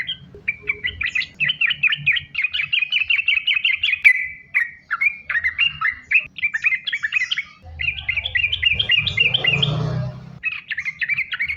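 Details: Energetic nonstop bulbul song meant to coax other sooty-headed bulbuls into singing: quick strings of sharp, bouncing notes in several bursts with short gaps, and a soft rustling noise late on.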